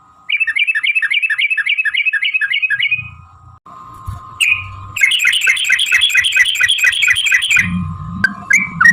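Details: Yellow-vented bulbul in long fighting song used to prompt other bulbuls to sing: a quick run of repeated bubbly notes, then a pause with low thumps, then dense, overlapping chattering over a steady hum.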